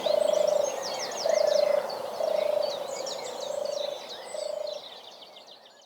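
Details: Turtle dove at Knepp rewilding site, Sussex, in spring, recorded quietly among scrub after a long chase: five low, rolling purrs about a second apart, fading away, with other songbirds twittering higher up.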